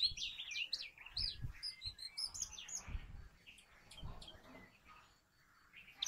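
Brown rock chat giving quick, high chirps and short whistled notes in busy bursts, with a few low thumps in the background.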